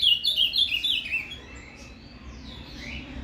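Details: Azulão, or ultramarine grosbeak, in Paraná canto fibra song, played to stimulate a captive male: a short run of fast, bright, warbled notes at the start, then only faint trailing sounds.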